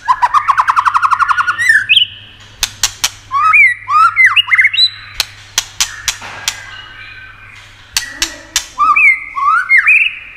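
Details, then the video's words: White-rumped shama song played to stimulate and excite other shamas. It opens with a rapid buzzy trill, then gives rich looping whistled phrases with many sharp clicks in between, and finishes on more swooping whistles. "Âm Kích Thích Cực Nhạy.chòe lửa đập tạch kích bổi cực sung"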